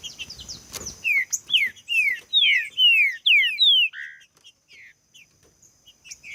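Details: Green-winged saltator song used to get other saltators singing: after a short noisy burst, a steady sequence of bright downward-sliding whistles, roughly two per second, fading into softer scattered notes.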